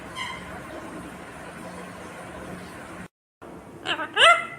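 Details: A talking rose-ringed (ringneck) parakeet gives a quiet first utterance, then after a brief cut a louder burst of shrill, sliding, word-like syllables, over a steady low room hum.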